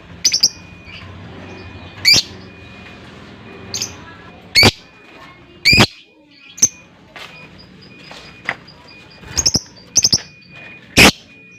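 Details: Lovebird with long ngekek chatter, used as a lure sound: sharp high chirps and rapid rattling bursts spaced a second or two apart, over a steady thin tone and low background hum.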